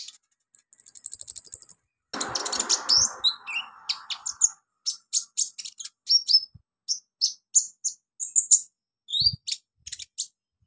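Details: Olive-backed sunbird on a training recording for novice birds: an opening fast buzzy trill, then lively bursts of high sharp chips and whistled notes, with a short rustling noise early on.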